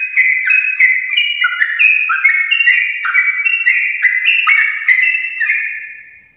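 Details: Sooty-headed bulbul in long morning ropel song, meant to prompt other bulbuls to sing; overlapping clear whistles changing pitch every fraction of a second, continuous, then fading out at the end.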